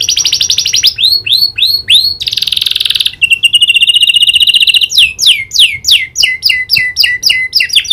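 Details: Canary trained with prinia clicking calls sings a rapid trill and a series of slurred whistles. A harsh buzz and a steady roll follow, then a run of sharp, falling clicky notes.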